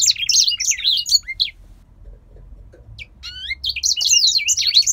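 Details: A captive male grey singing finch, which sings all day in sessions of one to five minutes, especially as breeding season begins, gives a fast, high, twittering song of rapid trills and slurred notes, pausing briefly before resuming, over a low hum.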